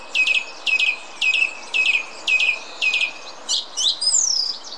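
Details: A single song thrush in the Munich Botanical Garden sings a bright, high phrase repeated six times at about two per second, then switches to a new, more varied phrase.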